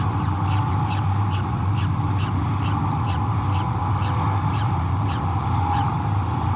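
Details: At a Great Spirit Bluff nest cam on 12 May 2022, the day the second egg hatched and male Newman met the chicks, harsh, clipped peregrine falcon notes repeat steadily, about two or three per second, over a heavy low hum.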